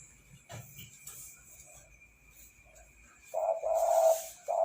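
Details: Spotted dove singing actively: a low, hooting coo note held for about a second, then a second coo starting just as the recording ends, after a quiet stretch with faint background noise.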